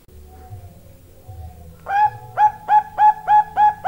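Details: Bangkok zebra dove hen, long call: after nearly two seconds of low background hum, a quick string of seven crisp, identical cooing notes sounds at a steady three per second.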